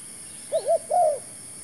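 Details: Single cooing phrase from a Spotted dove brought as a new decoy for trapping: a quick two-part coo then one longer coo that falls away, over a quiet background.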